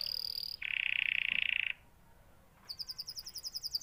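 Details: Canary delivering a high tone, then a loud rasping buzzy trill lasting about a second, a brief pause, and a rapid series of bright repeated chirps.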